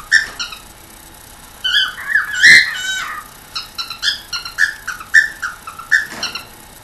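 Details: A 1-year-old pet cockatiel makes funny noises: a rapid run of short chirps and squeaky whistled notes, with a few harsher squawks.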